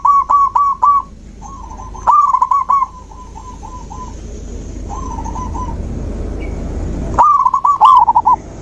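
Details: Zebra dove song, used to stir a silent dove into singing: several bursts of quick staccato coos. Some phrases are loud and some are softer and more distant, with gaps of low rumbling background between them.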